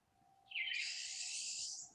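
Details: A streaky pine siskin (Spinus pinus), seen in winter, gives its buzzy, rising zreee call, a harsh, drawn-out, weird wheeze lasting over a second, over a faint steady hum.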